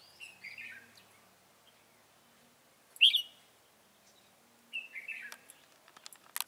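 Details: Red-whiskered bulbul kept as a trapping decoy: a soft warbled phrase, a pause, one sharp loud note, then another fluty bubbling phrase, ending with faint scattered clicks and taps.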